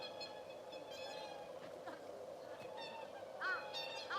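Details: Swans calling in winter at a snowy crane feeding site in Hokkaido, Japan: several nasal, harmonic trumpeting notes in irregular bursts, some sharply rising and falling, over a steady murmuring background hum.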